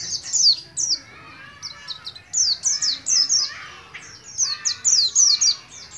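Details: Oriental white-eye, a young bird from Moga in Pemalang, Central Java, practising the ngalas ngeroll style; bright, high descending notes come in short clustered runs separated by quieter gaps.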